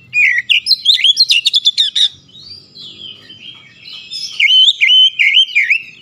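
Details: Oriental magpie-robin (kacer), described as stressed, singing energetically: a rapid run of sharp buzzy notes, a pause, then clear looping whistled phrases repeated in quick succession.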